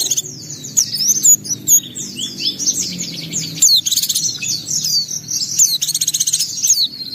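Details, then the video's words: White-eye singing gacor, beak open and unloading its isian repertoire: a continuous, rapid stream of high, thin twitters and sharp downslurred notes, with a low background hum. "Suara Burung Pleci Gacor Buka Paruh Bongkar Isian"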